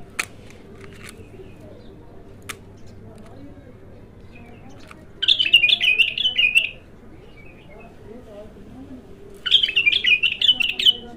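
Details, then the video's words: Untrained bulbul at its first song session gives two separate warbled phrases, each about a second and a half of rapid zigzagging whistled notes, spaced four seconds apart, with a few sharp clicks and faint murmuring earlier. "تغريد الابتر خام اول فتحـه له"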